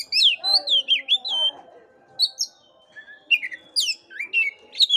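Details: Oriental magpie-robin song played to stimulate a listless caged bird to sing: varied whistled phrases sliding and falling between high notes, with short sharp upward flicks and brief pauses between bursts.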